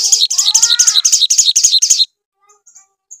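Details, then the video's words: Sogon song used as a lure to make another sogon answer: a two-second rapid series of bright, high chirps at about four per second over a faint rising nasal tone, followed by near silence with a few faint notes. "SOGON GACOR RANGSANGAN AGAR SOGON CEPAT NYAUT"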